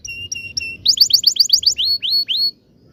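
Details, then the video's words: Canary ngerol song used as a lure for young canaries learning to sing: three flat piping notes, a rapid trill of down-slurred whistles, then slow rising whistled notes before silence. "kenari gacor panjang TEMBAKAN NGEROL ini ampuh buat pancingan kenari paud belajar bunyi"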